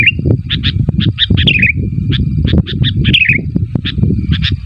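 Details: Calling sooty-headed bulbul meant to make other bulbuls reply: rapid chirp notes and twisting falling warbles over a steady loud low rumble throughout.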